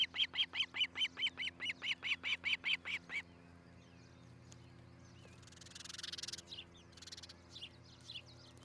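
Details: Osprey at the nest in Charlo, Montana, nest camera, morning of 13 July 2018. About thirteen piercing piping notes in three seconds, then silence, a short rush of noise and faint chirps.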